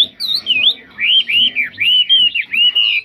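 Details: Chinese hwamei, praised as a fine singer with no faults, delivering a run of loud, clear, arched whistled phrases, each lasting about a quarter second and following one another closely.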